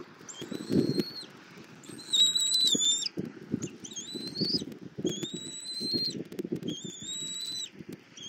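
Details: Bald eagle nest in Southwest Florida, mother feeding eaglet E23 an armadillo: series of high, thin whistled notes, some slurred or rising, in short phrases every second or so, with scraping and rustling below.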